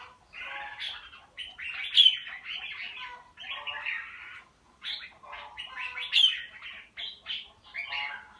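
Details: Caged red-whiskered bulbul of the bạch lem type, said to have come into full voice and to show good fighting attitude, sings harsh chattering bursts of notes, each phrase about one to two seconds long with short gaps.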